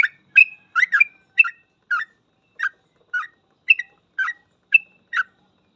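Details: Sooty-headed bulbul delivering ropel-style song used as a training master for trucuk: clusters of chirpy, slurred whistled notes, busy at first, then spaced about every half second, in a quiet background.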